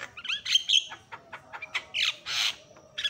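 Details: Javan myna calling loudly, a recording used to provoke other mynas into calling: mixed whistled slurs and harsh, hissing screeches, irregular and noisy, with a couple of longer broad rasps.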